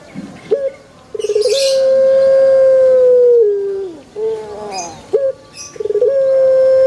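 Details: After a short stuttering lead-in, a Pelung chicken holds a long smooth crow for about two and a half seconds that slides down at the end, then starts again with a rapid stammer.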